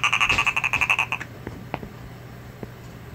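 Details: A female captive education American crow at a wildlife center, loose in the office and sassing her handler as he tries to return her to her enclosure, gives a fast, dry rattle of about a dozen clipped notes, then soft clicks.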